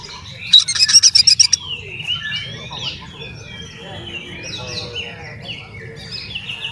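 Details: Oriental magpie-robin song used to provoke rival magpie-robins: a one-second loud burst of rapid, buzzy, chattering notes with piercing high accents, followed by soft, distant warbling phrases and quiet background twitters.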